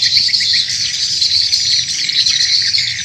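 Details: Swiftlet calls played as a lure for swiftlet farming in Indonesia: a dense, unbroken mass of high, shrill chirps and twitters with a fast, uneven rhythm. No other sounds.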